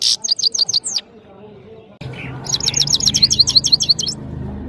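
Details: European goldfinch (saira) from Parachinar in powerful song: a one-second burst of rapid, high, metallic twittering, a silent pause, then a longer run of quick repeated ringing notes over a faint low hum.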